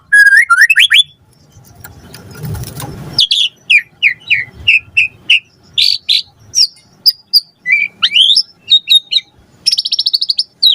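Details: Murai batu, the white-rumped shama, singing in full as a lure to provoke a response: a sweep of whistles, then a stretch of soft rustling noise, followed by crisp high chips and short whistled notes spaced about half a second apart.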